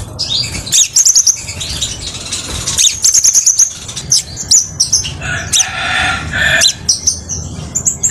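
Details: Crimson sunbird song used as a model or lure song for training songbirds: high, clear, rapid twittering trills and sharp chips, broken by short pauses, with some lower harsh notes near the end.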